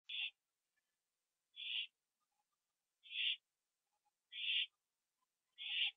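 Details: Owl given a treat, eaten inside, recorded 25 September 2011 at 1:52 AM; five short, faint hissing rasps come at roughly 1.4-second intervals against silence.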